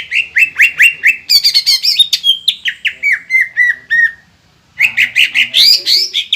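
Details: A singing green leafbird meant to excite other birds: repeated whistled notes, then a squawky high burst and a descending chain of slurred notes, silence, and a harsh scratchy outburst.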